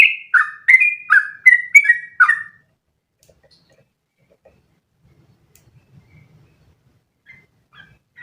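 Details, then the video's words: Sooty-headed bulbul song meant as a training model for other birds: six quick whistled paired notes dropping from high to low, then near silence with a few faint distant notes. "MASTERAN burung trucukan terbaik biar ikutan ropel panjang 1 nafas"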